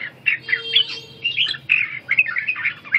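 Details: Red-whiskered bulbul practising ché song while recovering stamina: a busy string of short, slightly harsh whistled notes, about two per second, with a faint steady tone in the background.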